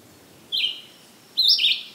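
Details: Red-eyed Vireo singing in summer on July 13, 2023, in Maynard, Massachusetts: two short slurred high phrases about a second apart, the second brighter and dropping in pitch, over quiet background.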